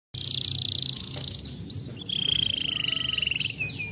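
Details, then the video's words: Canary song played to stimulate lazy canaries to sing: high trills and sweeping whistled notes, a long steady buzzy trill in the second half, over a faint low hum. "Ótimo para estimular canários preguiçosos"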